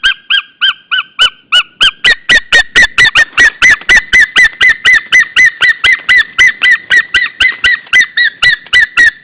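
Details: A white-tailed eagle in a mating pair in Estonia on 27 February 2013 calls: a few spaced double yelps, then a fast, steady run of shrill, gull-like notes, about four a second.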